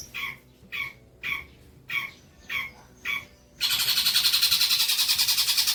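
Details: Long-tailed shrike tutor song for training young shrikes: five evenly spaced, slurred descending notes about half a second apart, then an abrupt switch to a loud, rapid, high-pitched trill that continues steadily.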